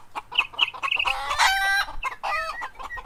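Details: Rooster crowing while chickens and rabbits forage in grass: clucks lead into a loud, harmonic crow of about a second, then a shorter drawn-out note, with more clucking after.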